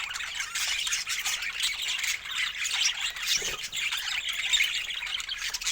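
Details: Budgerigar group calls: a constant high twittering and squawking chorus of many overlapping voices, with a brief lower sound near the middle.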